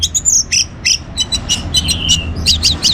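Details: Orange-headed thrush in lively song used to get other birds singing: a steady stream of high, sharp chirps and slurred whistles, with no clear pauses.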